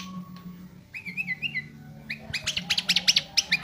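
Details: Sooty-headed bulbul, isian style of song: a short whistled wavering phrase, then a burst of rapid, sharp, scratchy chips repeated several times per second, over a constant low hum.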